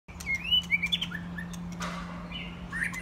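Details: Young white-rumped shamas, mostly after their first molt, playing together; clear whistled notes near the start, then softer scattered chirps over a steady low hum.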